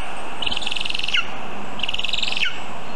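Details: At a Zemgale nest in a birch, filmed by a live camera at 9:24 am on 19 August 2023 during a vole delivery, a Lesser spotted eagle gives two rasping, yelping calls about 1.4 seconds apart, each dropping sharply at the end.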